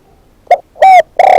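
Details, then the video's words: Captive spotted dove kept as a decoy bird giving three loud, hollow cooing notes in quick succession, the middle one longest and the last cut off, recorded close and slightly distorted. "เสียงนกเขาใหญ่ นกต่อ"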